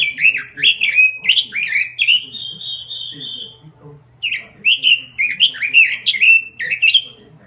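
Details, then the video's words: Robin singing a lure call: fast warbling notes run into a long level whistle, a short gap follows, then another rapid sequence of rising and falling chirps, faint hum behind. "Suara Pikat Burung Robin Full Gacor"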